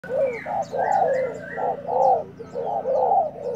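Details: Newly arrived decoy spotted dove, kept uncovered, already fighting: low hollow cooing notes in rapid runs, roughly one phrase per second, with a brief higher note between them. Thin, sharp chirps from small birds sound above throughout.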